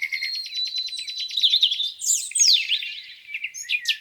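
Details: Beside a lake on a spring morning, a bird gives a steady rapid trill of repeated notes, followed by loud downward-sweeping whistles and sharp chirps from others.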